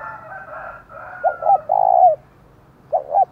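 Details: Provoking thúc call from a decoy spotted dove of the thổ voice style: a faint drawn-out tonal sound fades into two short hoots and a long hoarse coo, then two more short hoots begin again.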